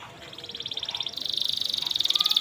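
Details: Canary in full song, used as a master recording for training young canaries, with melodious phrasing: a fast pulsed trill at one high pitch that grows louder and quicker, breaking into sweeping notes at the end.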